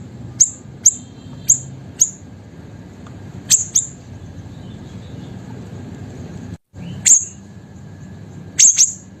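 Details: Small, actively singing caged siri-siri bird, used as a master and lure for training songbirds: sharp, very high chip notes at irregular intervals with brief pauses, over a faint low hum.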